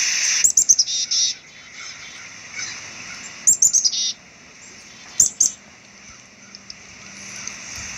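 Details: Black-capped chickadee delivering three bursts of high chips, each trailing into short buzzy notes, separated by quiet gaps of a couple of seconds.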